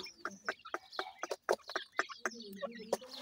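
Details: Grey francolin (dakhni teetar) chicks while feeding: a busy run of short, clipped peeps and chirps, about two per second and unevenly spaced, with low clucking notes underneath.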